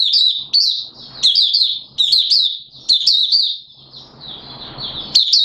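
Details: Malaysian Oriental white-eye in Singapore, warm humid weather with sudden showers, 29 March 2023, singing a continuous, high twittering song of thin, slurred notes, brief sharp chips about every second, faint low hum beneath.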